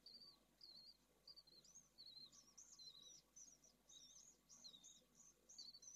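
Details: Pallid swift nest in Jerez de la Frontera, Spain, with two newly hatched chicks from a second clutch in hot weather; high thin twittering notes, some wavering and rising, run together over low hum.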